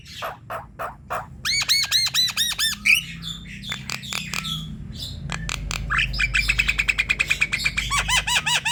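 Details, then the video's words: Javan myna song played to coax other mynas into singing, with rasping notes, long runs of arched chattering calls, a short whistle and a steady rapid buzzy trill near the end. "Suara jalak kebo ini untuk memikat jalak kebo lain agar ikut bunyi"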